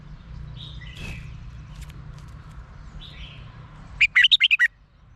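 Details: Thai caged red-whiskered bulbul song meant to excite other caged birds: softer slurred whistles early on, then a loud closing run of six rapid warbled notes, with steady low background noise throughout.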